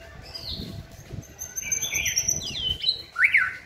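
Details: White-rumped shama in song training: a sequence of varied clear whistles, a high thin note near the start, then a rising-falling sweep and a bright down-slurred phrase at the end; faint low rumble beneath.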